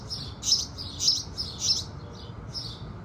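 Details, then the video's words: Morning chorus of house sparrows as the sun rises: rapid, loud, buzzy chirps in a lively cluster, about two per second, easing into fainter chirps, with faint low noise behind. "Sparrows Singing"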